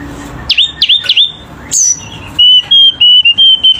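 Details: Caged selendang biru bird singing vigorously: three quick sliding whistles, a sharp high note, then a run of steady, even whistled notes on one pitch, over a low hum.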